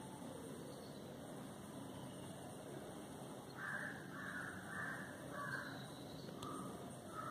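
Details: Indian grey hornbill from a family living in a residential neighbourhood, on its morning routine of foraging in papaya, fig and berry trees and tapping at a window; a run of four shrill, squealing calls midway, then two more, over a steady traffic hum.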